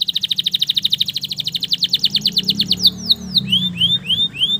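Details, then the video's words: Male canary singing to prompt stressed canaries to sing again: an even, fast trill of repeated notes for about three seconds, switching to a series of upward-slurred whistles, with a faint low hum behind. "TERAPI KENARI STRESS MACET BUNYI AGAR CEPAT GACOR LAGI DENGAN SUARA PANCINGAN KENARI JANTAN GACOR"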